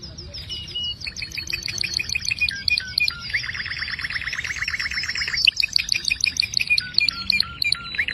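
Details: Canary in dense, varied song: high chirps and whistled slides, a low rolling trill in the middle, and quick twittering phrases throughout.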